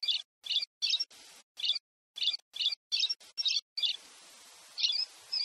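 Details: Brazilian Pileated Parrot calling in rapid, bright, high-pitched chirps repeated roughly every half second, a dozen notes in all, followed by a steady hissing background and two final chirps.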